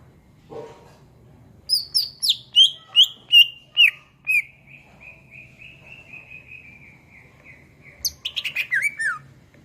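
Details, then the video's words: Vigorous greater green leafbird song used to train songbirds: a descending series of about eight loud whistled notes, roughly three per second, then a soft sustained tone and a final rapid twittering flourish. "SUARA MASTERAN CUCAK IJO GACOR"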